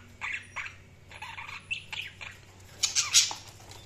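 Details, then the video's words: Budgerigars chirping: short buzzy squawks and chirps in quick bursts, a louder harsh chattering cluster near the end, over a steady low hum. "Budgies Chirping sound"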